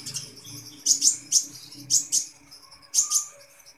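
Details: Kolibri ninja sunbird singing actively and steadily: groups of sharp, high, twittering chirps in short bursts of two or three, about a second apart, over a quiet low hum.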